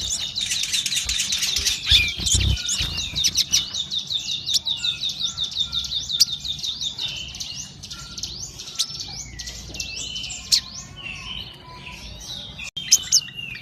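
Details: Sogon delivering a long, rapid chattering series of high, looping whistled notes repeated about three times per second, then looser chirps and thin slurred whistles toward the end.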